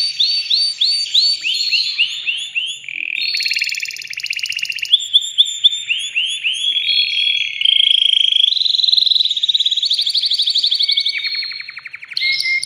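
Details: Excited male canary trying to break its cage while singing to stimulate a female to mate: a long varied song of looping whistled notes, rapid buzzing rolls and steady trills, changing tour every few seconds.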